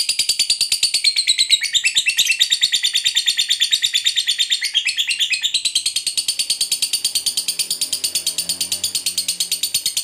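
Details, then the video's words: Lovebird giving ngekek, a long chattering song used to lure other lovebirds to sing: a continuous high, dense, rapid chatter sustained through the whole stretch without a break. "Suara Burung Lovebird Ngekek Panjang"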